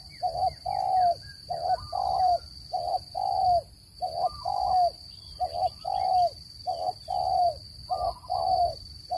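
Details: Repeated calls of a spotted dove meant to draw birds into traps: soft hooting coos, short notes paired with longer falling ones, about three phrases in nine seconds, with a faint high electronic whine throughout.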